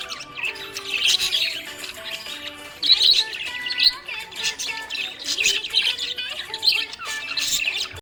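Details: Cheerful budgerigar chatter of high, bubbling chirps and short sharp squeaks coming in bursts, over a tune in the background.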